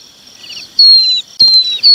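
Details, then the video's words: Red-wattled lapwing chick calling its parents: loud, thin, high whistles, each held and gently falling, three in two seconds, over faint soft chirping and insect trilling in the background. "Tiếng chim te te con gọi chim bố mẹ"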